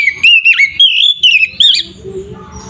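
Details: Fighting-style gacor song of an Oriental magpie-robin, used to stir other kacer into fighting: a short string of bright whistled notes, some dipping and rising, then fading into faint low background.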